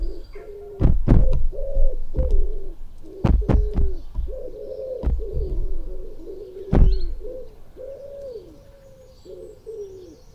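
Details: Two magpies attack a microphone in a small yard at six in the morning on 17 July 2018. Soft cooing, warbling chatter runs throughout. Sharp heavy thumps and knocks come from the birds striking the microphone.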